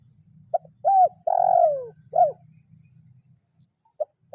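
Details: Spotted dove calling a rival in kuk 0-1 lure style. One full loud phrase, short note, arched coo, long falling coo and a crisp final note, followed by quiet single note starts and a faint low hum.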